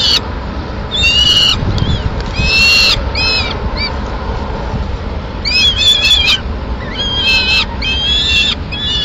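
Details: Peregrine falcon nest in Madrid, May 2016, with the female feeding pigeon to two chicks. Clusters of short, hooked, harmonic squeaky calls in irregular bursts are separated by quieter pauses.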